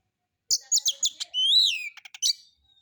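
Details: Oriental magpie-robin (kacer) in relaxed solo singing used as a lure for other birds, harsh material: a run of short sharp notes, a long rising-then-falling whistle, then quick clipped chirps.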